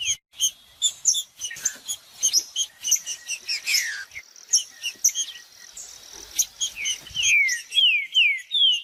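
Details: Green-winged saltator singing to warm up another saltator. Dense, chattering high chirps fill most of the passage before a closing series of bright, falling whistled notes.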